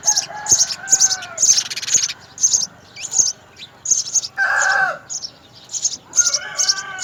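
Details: House sparrow nestlings, three young being fed at the nest by both parents, give rapid high squeaky chirps in quick runs, broken by lower harsher calls and clucking from other birds nearby.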